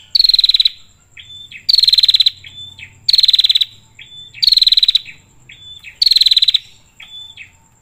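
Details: Female prinia calling the male, used as a lure recording: loud, buzzy, rapidly pulsed trills about half a second long, repeated roughly every one and a half seconds, with short thin whistled notes between bursts.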